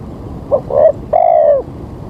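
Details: Single spotted dove phrase at a morning bird-trapping spot before rain: a soft short note, a slightly longer coo, then an extended, gently descending coo.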